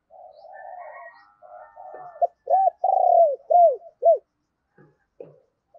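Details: Decoy spotted dove calling wild doves: soft, raspy lead-in notes, then four or five loud, arched coos in quick succession, ending in silence with faint clicks.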